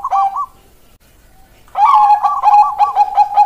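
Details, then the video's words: Zebra dove of the Bangkok type cooing keok kok kok kok, a brief phrase followed after a silence by a rapid string of clipped notes, for prompting lazy doves to sing. "Perkutut Bangkok keok kok kok kok cocok buat pancingan perkutut malas bunyi"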